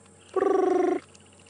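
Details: A Brubru (Nilaus afer) gives one fast, buzzy trill of about half a second on a steady mid pitch, like a ringing phone, heard on a morning safari drive at Djuma and Arathusa on 10 December 2014.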